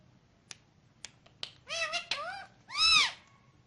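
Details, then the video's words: Ringneck parrot kept as a pet, speaking Urdu/Hindi words: a few soft clicks, then rapid harsh speech-like syllables with layered tones, ending in one loud drawn-out nasal squawk-like word. "The Ringneck Parrot Talking In Urdu/Hindi"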